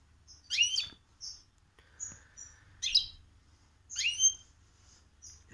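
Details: Goldfinch × canary hybrid (mixto) that always hears goldfinch song, though its song may hold some canary notes; short sharp high chirps and twittery bursts about once a second, with a faint low hum behind.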